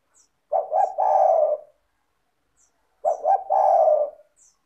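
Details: Spotted dove, a steady caller used as a prompt for quiet doves. It gives two low phrases, each with two short stuttering notes leading into a long husky coo, about two and a half seconds apart.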